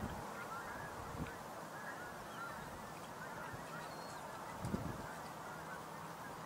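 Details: A fairly large, distant flock of snow geese keeps up a steady din of overlapping nasal honks and yelps, with occasional louder calls over a soft background rumble.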